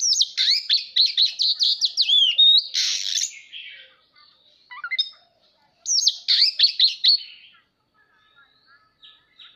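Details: Oriental magpie-robin in tail-spreading display pours out fast, rich whistled phrases, then a short harsh rasping burst, a brief pause, and another rapid whistled run that trails off into soft, quiet notes.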